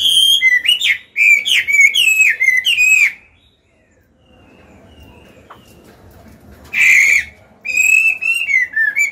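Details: Caged Chinese hwamei, old wild-caught singer used for training birds to sing; a burst of wavering whistled notes, a long quiet gap, then a harsh note and more whistles.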